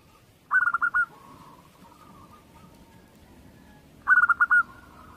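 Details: Zebra dove of a local Indonesian strain giving two short trilled cooing phrases about three and a half seconds apart. Each phrase is a fast run of five clipped notes followed by a soft fading tail.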